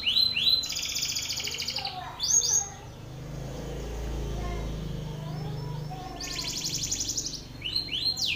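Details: Belgian canary male singing at a rival male: bursts of fast high trills and downslurred notes, broken by a few seconds of low rumbling background noise between phrases.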